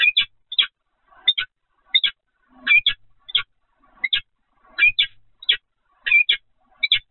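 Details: Peregrine falcon at the Evoluon nest site, 7 February 2020, 15:55. A steady series of harsh, doubled chipping calls repeats roughly every half second to second, each burst a rapid two-part note, against near-silent surroundings.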